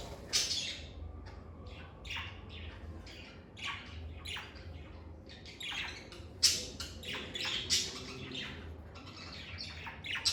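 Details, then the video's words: Lovebirds kept indoors chatter continuously with many short, scratchy chirps and squeaks tumbling over each other for about ten seconds. "Lovebird Singing & Chirping Sounds"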